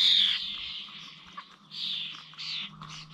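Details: Common starlings at village bird feeders in Corby, recorded on 21 November: harsh, noisy bursts centred high, a loud one at the start, then softer chattering with gaps and a faint low hum beneath.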